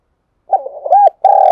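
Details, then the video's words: Part of a spotted dove's morning call, used as a decoy lure: soft broken notes rising into a loud arched coo, followed after a brief gap by the start of a long sustained note. "Tiếng cu gáy hay nhất, gáy gọi buổi sáng cực đỉnh"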